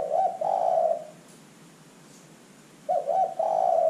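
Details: Calling spotted dove used as a lure to draw calls from other birds: two cooing phrases, each opening with fast stuttered notes and ending in a long sustained coo, separated by about two seconds of quiet.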